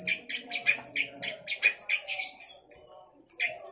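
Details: Long-tailed shrike in chattering song: quick, varied, scratchy notes, some higher and thinner, tumbling in a loose jumble, a short pause, then more notes.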